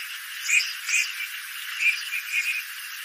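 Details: Red-crested pochard calling: short, squeaky, slightly nasal notes given singly or in quick pairs, about four bursts over three seconds, against a steady faint hiss.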